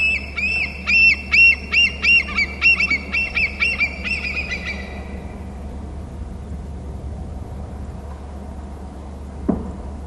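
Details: Nest-cam recording of a bald eagle on its Hornby Island territory giving a fast string of about a dozen sharp, piping whistles that trail off and fade, leaving a constant low mechanical hum.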